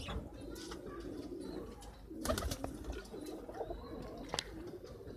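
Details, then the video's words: Loft pigeon guarding its newly hatched chicks, agitated at being handled; a steady low droning coo runs throughout, broken by a few sharp clicks and a brief louder burst midway, in a small indoor space. "Intha pigeon ku iwlo kovam chick ah thotta"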